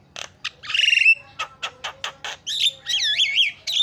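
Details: Starling song played to provoke sulking birds to sing: short harsh notes and a buzzy trill, a string of evenly spaced rasps, then wavering, yodel-like whistles rising and falling.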